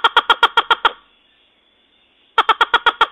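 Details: Red-legged crake calling: a fast series of harsh, harmonic nasal notes, about six in under a second, then silence before another rapid burst begins.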